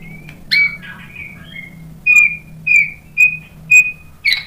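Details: White-rumped shama provoking song: a few twisting whistled notes, then short high whistles repeated roughly every half second over a faint low hum.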